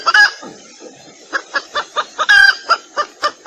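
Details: Red junglefowl hen calling to attract males, for decoying wild junglefowl: soft, regularly spaced clucks over steady hiss, broken by two louder, clearer drawn-out notes.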